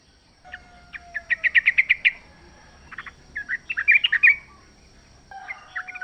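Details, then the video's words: Yellow-vented bulbul singing wild in the forest, used to provoke caged birds to sing: a quick series of evenly spaced bright notes, a short gap, a tumbling bubbly phrase, then softer chirps. "trucuk gacor ngalas full suara alam"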